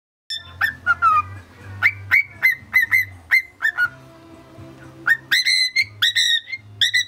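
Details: Pet male cockatiel whistling an imitation of the Mickey Mouse March: a run of short clear whistled notes, some sliding down, then a pause with a low held tone and a final burst of rising, ringing whistles; a faint low hum underneath.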